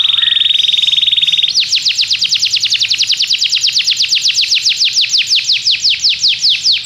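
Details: Belgian canary song for training other canaries: a steady, buzzy, flat-pitched roll opens, then gives way to a long series of crisp, high, falling notes repeated at a quick, even pace.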